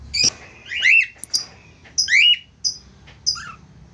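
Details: Budgerigar pair singing together: sharp high chirps mixed with twisting, slurred warbles, in quick irregular bursts against faint background hum.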